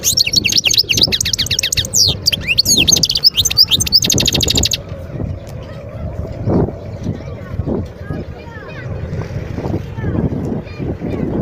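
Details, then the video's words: Wild European goldfinch from Guerbaz, Skikda, Algeria, 2022. For nearly five seconds the bird gives an intense, rapid, high twittering with buzzy trills. The song then stops abruptly, leaving faint distant chirps and low background noise. "صوت الحسون البري"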